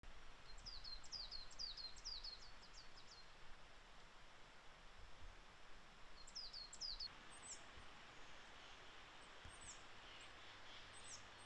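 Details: Coal tit singing in Japan in April: thin, very high, quick repeated two-note phrases in a rapid series, a pause, then another short burst, fairly distant against steady rushing background noise.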